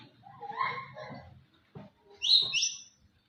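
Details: White-rumped shama, a contest champion, sings a mellow warbled phrase, falls briefly silent, then adds two sharp high chirps; soft low noise underneath.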